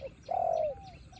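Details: Close spotted dove, pitted against a wild bird in the rain, gives one loud drawn coo that slides slightly downward, preceded by a short note, with rain faintly behind.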